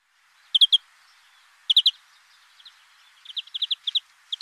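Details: European greenfinch song in short twittering bursts of two or three bright, quick chirps, repeated at irregular gaps and ending in a looser run of notes, over faint background hiss.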